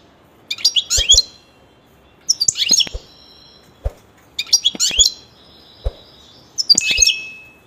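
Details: Pet European goldfinch giving short, tinkling twittered bursts about every two seconds, each a quick cluster of high chirps, with soft knocks and clicks between them.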